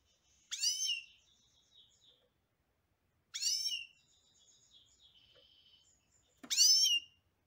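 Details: European goldfinch song: three loud, nasal, drawn-out notes with strong overtones, spaced about three seconds apart, with soft high twittering in between.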